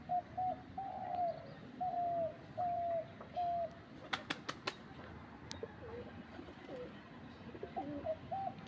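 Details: Dove kept to draw in wild doves, placed up in a tree: a run of six steady hooting notes with short gaps, followed by sharp tapping clicks and faint broken notes at the end.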